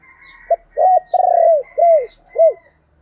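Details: A spotted dove kept as a decoy calls loudly. The phrase opens with a brief clipped note, then one rounded coo, a long vibrating coo and two drooping coos. Faint chirps from other birds sound behind.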